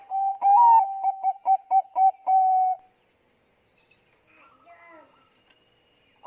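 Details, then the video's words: Bangkok zebra dove giving a lure song to trigger other doves: a rising coo, then rhythmic clipped coos about four a second ending in a drawn-out note, followed by quiet faint chirps. "suara pancingan perkutut bangkok gacor"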